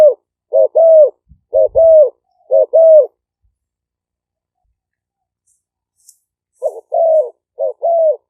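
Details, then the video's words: Caged decoy Spotted doves of Malay and 'phadphon' strains in Roi Et province, Thailand, sung for playback to lure wild birds, 2023; four rounded coos in quick succession, a silent pause of three seconds, then three more coos. "เสียงนกเขาใหญ่ คารม ปะทะ คารม"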